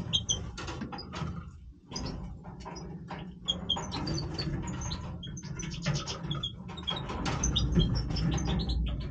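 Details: Major European goldfinch singing its breeding voice: quick, scattered, high twittering and chirping notes over a steady low rumble and scratchy clicking, with brief pauses between bursts.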